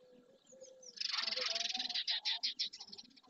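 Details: Dozens of barn swallows, many of them juveniles, gather at the marsh edge in Doñana National Park, Andalusia, Spain, in early June. A dense burst of high twittering chatter breaks into rapid repeated chirps, about three a second, with faint low tonal calls beneath.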